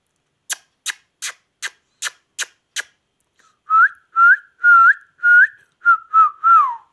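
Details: A talking Indian ringneck parakeet gives seven sharp clicks about every third of a second, then a run of clear, mid-pitched, voice-like whistled syllables, each rising or falling, in a talking-parrot style.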